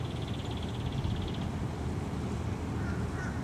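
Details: Belted kingfisher perched for a long time on a dock post on the morning of October 20, 2015, at 7:36am. It gives a fast, high, even rattle lasting about one and a half seconds over a steady low rumble of wind or engine noise.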